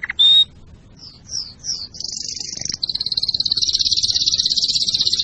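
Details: Canary song for preparing birds to breed and teaching chicks: a sharp whistled note, a series of short sweeping slurs, then a long high rapid trill that grows steadily louder.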